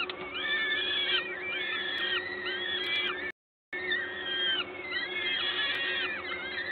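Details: Peregrine falcon nest in Gdańsk, Poland, on 14 May 2022, with an adult feeding at 11:07. Bursts of harmonic, arched wailing calls overlap, broken by a brief silent gap, over low background hum.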